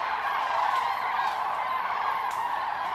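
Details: A large autumn roost gathering of common cranes at the Milicz fishponds in Poland, September 2023, giving a steady wall of loud, overlapping bugling calls from many birds at once.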